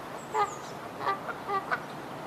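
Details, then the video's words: Canada goose giving a few soft, distant honks, about five short nasal notes spread over two seconds against steady background hiss, with a thin high whistle from another bird near the start. "SOUND OF A CANADA GOOSE 🔊 What does a canada goose sound"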